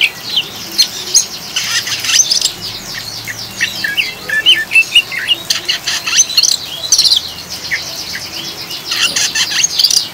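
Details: Oriental magpie-robin chattering ngriwik song, used as a lure to calm and stabilise caged birds: rapid high scratchy twittering bursts over steady hiss of rain.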